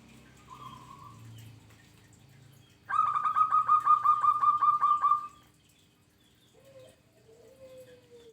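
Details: Local zebra dove in full song: a rapid burst of about twelve clipped, mellow cooing notes on one pitch, running for roughly two seconds, with fainter low coos before and after.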